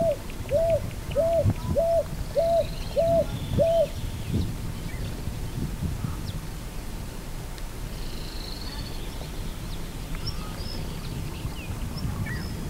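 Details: Picui ground dove (Columbina picui) calling: a run of six hollow, rounded cooing notes, evenly repeated about every 0.6 seconds for four seconds, then stopping, over steady low rumbling background noise with faint distant bird chirps.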